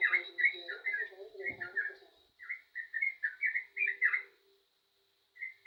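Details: Yellow-vented bulbul singing actively: quick bursts of short, liquid, bubbly notes in rapid chattering phrases, with brief pauses between runs and a softer low tone underneath.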